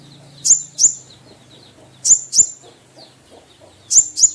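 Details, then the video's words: Konin (kolibri ninja) kept bird calling to provoke a rival: three pairs of piercing, high, sharply rising notes, each pair quick and close, separated by gaps of over a second, over a faint low hum. "konin gacor rawatan memancing lawan dengan suara panggilan full isian"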